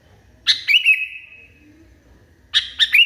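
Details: Agitated Sooty-headed Bulbul giving a loud burst of sharp notes that melts into a prolonged ringing whistle, then a pause and a fresh cluster of quick chirps.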